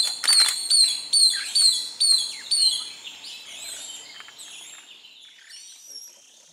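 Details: A long-tailed broadbill in Kaeng Krachan, where a pair is at a nest, gives a quick series of about seven shrill, high whistles, roughly two per second, then fades as other small birds twitter faintly behind.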